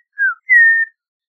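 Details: Two clear whistles from an Audubon's oriole: a short descending note followed by a longer, level, slightly wavering whistle.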